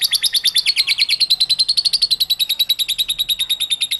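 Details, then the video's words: Lovebird ngekek song, used to lure other lovebirds into singing: a rapid, even rattle of high, harsh chattering notes, about five per second, held without a break. "LOVEBIRD SINGING"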